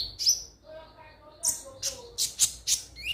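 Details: Crimson sunbird, or konin, giving high sharp notes and a quick falling whistle in short bursts, used to prompt other birds into song; faint low murmuring beneath.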